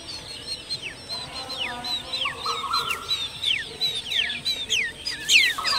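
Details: Striated babblers at a nest with eggs and chicks give a busy chatter of short, high, downward-slurred notes, about three a second, with several birds overlapping over a steady low hum.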